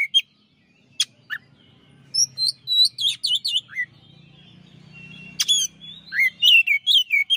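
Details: Champion white-rumped shama, recorded as a master song for training other birds: bright, varied whistles and sharp chips in quick phrases, with sweeping slurred notes and a faint low hum in the background.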